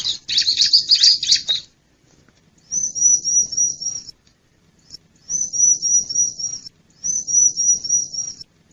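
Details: A wild bar-winged prinia lure call for luring wild birds opens with a harsh rasping burst, then repeats a high, finely pulsed buzzing trill three times, each about one and a half seconds long.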